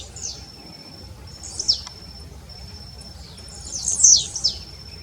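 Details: Blue-black grassquit singing: short high buzzy phrases, each about half a second with a quick downward slur, given at the start, near two seconds and near four seconds, over a steady thin high insect tone.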